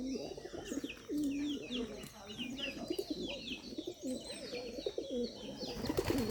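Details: Rajshahi Giribaz pigeons give low, throaty rolling coos, with small birds chirping high in the background.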